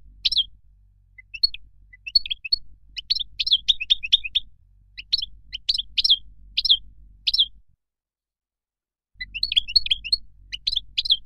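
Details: Moroccan goldfinch singing: bursts of bright, twittering notes and quick slurred chirps repeated in short phrases, with a brief silent break before the liquid twitter resumes.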